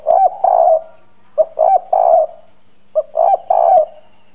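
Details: Spotted dove luring wild doves with a hoarse, firm coo: three low phrases, each a quick clipped note leading into two fuller rolling coos, separated by short pauses.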